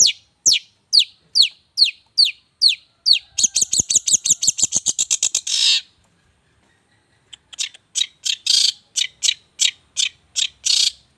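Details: Regular contest champion songbird repeating sharp downward-slurred notes about twice a second, breaking into a rapid accelerating buzzy trill, falling silent, then resuming a quick series of harsh high chirps.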